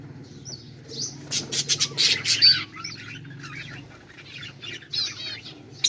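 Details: Budgies recorded on 18 July 2023: scattered high squawky chirps and short warbled bursts, louder in the middle, over a faint low background hum.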